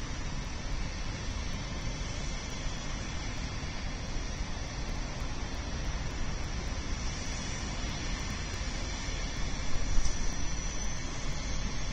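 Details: Steady broadband rumble and hiss, like city traffic or wind, fills the recording with no animal calls.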